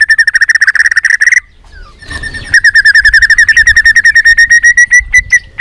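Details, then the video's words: White-rumped shama, played to excite other shamas into singing: a fast, steady rattle of repeated notes, a short break with a soft whistle, then the rapid rattle resuming. "Kích Chòe lửa hót nhiều giọng"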